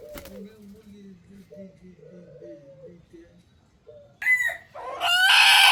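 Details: A wild red junglefowl rooster gives a loud, harsh, strained crow near the end, seemingly cut short, after quiet, low human speech in the first few seconds.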